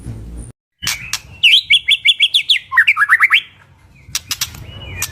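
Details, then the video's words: Bird chirps for stress relief: after a brief cut, a clear trill of about a dozen quick, sharp, evenly spaced notes, slightly lower toward the end, with clicks and faint background rumble. "Bird Chirps | Stress Relief | Relaxing Birds Sounds"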